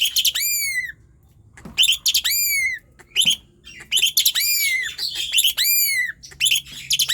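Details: Asian pied starling, locally jalak suren, singing persistently to encourage idle birds: repeated bold downward-curving whistles mixed with dense chattering bursts, nearly continuous after a short pause.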